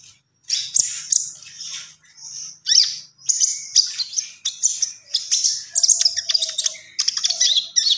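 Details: Common iora (konin) singing in lively gacor style: high, rapid chattering phrases and short whistled trills in bursts with brief pauses, a faint low warbled note near the end.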